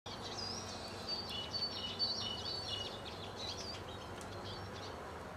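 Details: A flock of at least 30 Eurasian siskins feeding at back-yard sunflower-heart feeders and on the ground below in West Wellow, Hampshire, in March 2008, keeps up busy, high twittering of quick chirps and thin wheezy notes, with goldfinches and blue tits also present.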